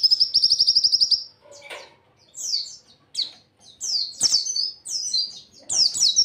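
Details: Caged white-eye song for training other birds: a rapid, buzzy high trill for about a second, followed by varied sharp whistled slurs and chattering notes.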